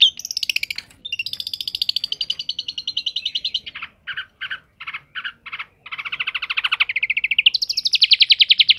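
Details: Energetic long-tailed shrike song of long, fast, buzzy trills. They pause for a series of separate clipped chattering notes in the middle, then return as a rattling trill that rises in pitch at the end.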